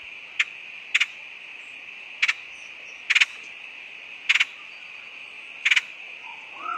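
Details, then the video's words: Woodpecker call used as a lure, heard as short sharp double and triple notes repeated roughly every second over a constant high-pitched hum. "PIKAT BURUNG PELATUK SUARA PANCINGAN"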